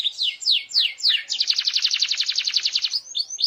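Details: Canary song used to get other canaries singing: four falling whistled sweeps, then a rapid steady high trill, closing with short rising slurred notes.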